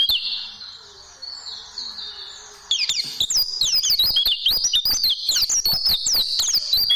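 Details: White-eye tutoring song for caged birds: a faint warbling phrase, a short lull, then a sudden burst of fast, shrill chirps sliding up and down.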